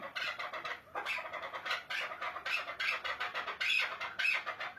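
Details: Chukar partridge calling: a rapid series of harsh, broadband chucking notes, about two per second, steady and unbroken throughout, with a slightly roomy, enclosed sound.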